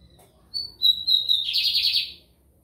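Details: Singing lined seedeater (bigodinho americano), São Luís, Maranhão, Brazil. Two or three sharp whistled notes lead into a bright, fast buzzy trill of about three-quarters of a second. The background is otherwise quiet.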